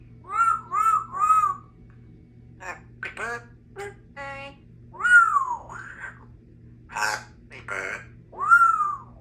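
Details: Congo African grey parrot, a 3-year-old female kept as a pet in a country home, chattering in human-like phrases: arched whistled syllables, clipped word sounds and a drawn-out falling whistle, with short pauses between bursts; low steady hum beneath.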